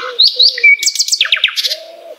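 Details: Brief phrase of Common nightingale (Luscinia megarhynchos) song, a master recording for songbirds: two sharp upslurred whistles, a thin level whistle, then a quick descending run of repeated notes over low wavering tones.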